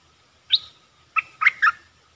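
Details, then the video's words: Red-eyed bulbul, a wild bird calling back to a caged decoy bird. A single rising note is followed after a pause by three or four quick throaty gurgles over faint background hiss. "Suara pikat merbah lekir"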